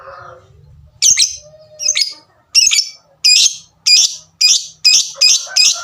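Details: Lovebird song that opens softly, then sharp tik notes spaced about every half second settle into a regular harsh series, with a faint low hum and a soft whistled note early on.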